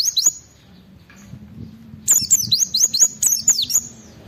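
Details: High-pitched Oriental white-eye song aimed at provoking other white-eyes to respond: after a quiet stretch with a faint low hum, a brisk series of sharp, sliding whistles repeats several times per second.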